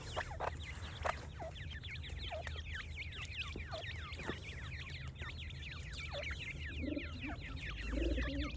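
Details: Group of young francolin chicks peeping nonstop: thin, high, downward-sweeping cheeps packed closely together, a few sharper clicks mixed in, and short lower warbling notes near the end over a constant low rumble.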